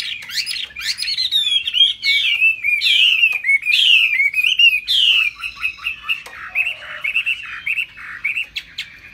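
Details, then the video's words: Singing high with bows and tail flaps, a laughingthrush with a fig-leaf tail delivers loud descending whistled phrases, then softer rippling notes repeated at a brisk pace. "Hót cao cầu đập đuôi khướu"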